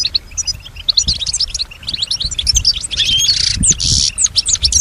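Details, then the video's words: Pet European goldfinch, a female said to copy sounds around her, delivers fast tinkling twitters and sharp chirps, then a harsh buzzy wheeze near the end, followed by more bright twittering over a low hum. "keep your goldfinch healthy and singing"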